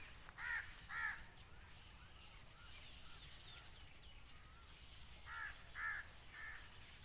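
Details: Black francolin, locally kala tetar, calling outdoors: two harsh, buzzy notes rich in overtones near the start, a pause of about four seconds, then three more rasping notes about half a second apart, over steady background hiss.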